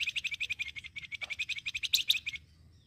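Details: Flamboyan bird sound intended for luring birds: a long, evenly paced series of quick high chirps, roughly eight per second, ending in two louder sharp notes.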